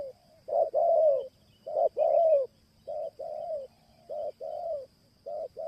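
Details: Luring cooing of a spotted dove, an Indonesian pikat recording in merayu style: rounded coos come in pairs, a short note then a drawn-out falling one. The phrases repeat several times with brief pauses, and a faint constant whine sounds behind.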